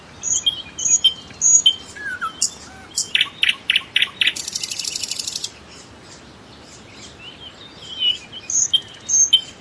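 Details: Common nightingale singing: varied high phrases of whistles and short notes, a run of rapid evenly spaced loud pulses, then a fast buzzy trill, followed by quieter scattered whistled notes after a pause.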